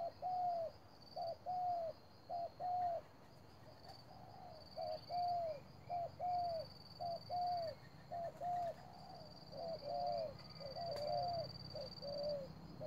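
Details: Spotted dove acting as a trap decoy, cooing very fast in a long series of short-then-long mellow phrases, almost one per second, while a high insect drone rises and falls behind it.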